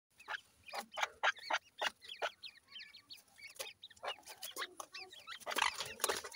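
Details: Black francolin chicks kept indoors, fighting in a house: rapid bursts of high chirps and peeps with broadband scuffling clicks, busy and irregular throughout.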